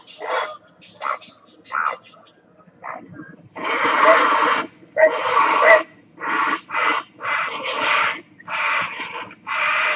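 Great blue heron giving harsh, hoarse squawks: a few short croaks, then longer rasping calls about one per second.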